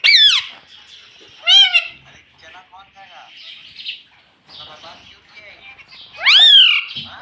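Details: Ringneck parrot kept as a pet, mimicking "mommy": three loud, squeaky, swooping harmonic syllables separated by soft, murmuring chatter.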